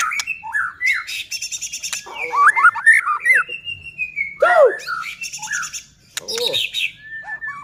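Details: Singing white-rumped shama whose song serves to stir rival shamas into song; rich whistles, quick rising and falling slurs, harsh chattering bursts and deep swooping notes follow one another without pause.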